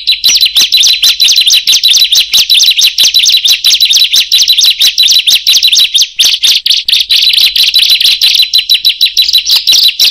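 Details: Bar-winged prinia (ciblek or prenjak) singing, a recording meant for luring birds: loud, rapid, high-pitched chirps running on without pause at roughly two per second, strident and repetitive.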